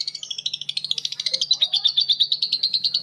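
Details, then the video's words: Long ngekek chatter from lovebirds answering one another, Betmen, vio and paskun types: a steady, rapid stream of piercing, rattling high notes, roughly three per second-fraction, unbroken through the clip, with a faint low hum behind. "Suara Lovebird ngekek panjang❗Suara bikin Lovebird Betmen vs vio vs paskun saling bersautan."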